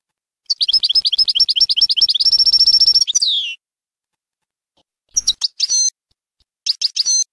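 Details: Goldfinch song of the Bainam Ghazarat type for training young birds: fast repeated chirps running into a tight buzzy trill and downward slur, followed by silence and brief scattered twitters.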